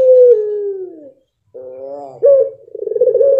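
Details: Blorok pelung dove: the tail of a long, smoothly descending coo, a short pause, then a nasal rising introductory note, a sharp accent and the start of another pulsing, sustained coo.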